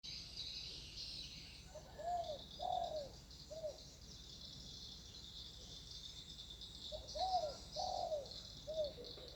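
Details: Spotted dove heard in nature in a peaceful setting: two phrases of soft cooing notes, each three hollow coos, the middle one longest, over steady high insect buzzing throughout.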